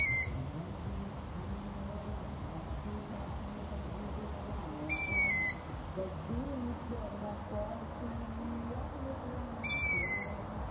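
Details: Long-eared owl repeating three high, thin, whistled squeaks, each roughly half a second long and falling slightly in pitch, spaced about five seconds apart over soft background murmur.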